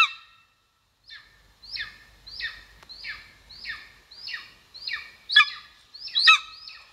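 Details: Calls from a golden eagle nest on a live camera in Estonia, 2022: after a short pause, a series of high, falling, slightly buzzy yelps repeats about once a second, with two louder, rougher notes near the end.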